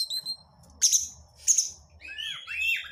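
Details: Lure recording of Oriental magpie-robin (kacer) crecetan chatter for provoking hesitant birds: two sharp high buzzy bursts a second apart, then a tumbling run of sweeping whistled notes over a soft low rumble.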